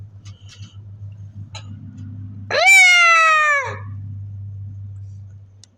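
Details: Single long, nasal hen call on a large Pakistani poultry farm, rising at the start, held for about a second, then falling away. Soft clucks and a steady low machine hum run throughout.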